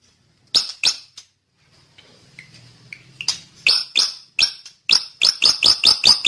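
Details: Drongo song of loud, sharp high chips, scattered at first with a soft low murmur between them, then quickening into a rapid even series near the end.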